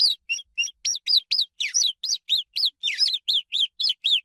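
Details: Swallow chirping in a steady run of short, sharp notes, about four per second. Many notes bend down or arch, and a few are louder and overlap. The background is clean and quiet.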